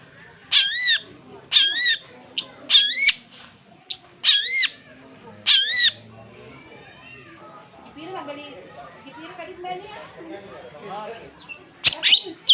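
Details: Long-tailed shrike calling in bursts: several wavering, looping whistled notes roughly once a second, then a quiet stretch with soft chatter and voices before a final sharp note.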